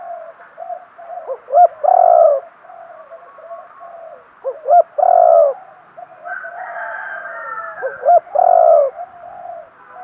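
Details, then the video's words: Spotted dove kept as a decoy, cooing to draw in wild birds; three phrases roughly every three seconds, each a pair of short clipped notes leading into a long, throaty coo. "chim cu mồi thúc gù, chim cu gáy kích bổi mới nhất, cu cườm thúc gù giọng hay"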